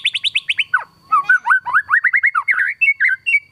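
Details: White-rumped shama in full song, its phrases stuffed with kapas tembak fill-in imitations: fast repeated chirps, then a falling slur and a chain of rising whistled notes, with one faint steady tone behind.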